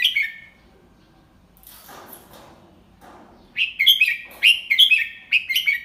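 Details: Red-whiskered bulbul teacher bird sings the slow, clear double-three (เบิ้ล3) style for young birds to copy. A phrase ends, soft rustling follows, then a run of about six lively whistled notes rising and dropping.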